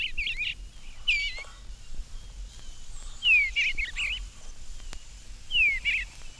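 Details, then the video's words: Male Eastern Bluebird singing a cheerful warble from the roof of a garden birdhouse on a spring morning while its mate builds the nest. Short, gurgling warbled phrases come in three separate bursts with quiet gaps between them over faint background hiss. "We will start in the garden on a spring morning, and today the first song that greets our ears is the cheerful warble of the bluebird."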